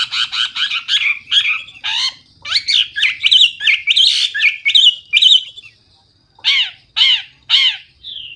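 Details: Hwamei with loud, clear gacor song full of isian: quick bursts of harsh, clipped notes alternating with fluid whistles, a silent gap, then three separate rasping calls and a short whistle.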